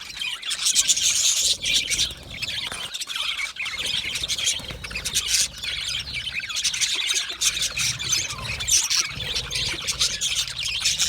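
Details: A colony of Australian budgies, happy and settled, keeps up constant high twittering and scratchy squawks, many birds calling over one another in a busy unbroken wash with a soft low hum underneath.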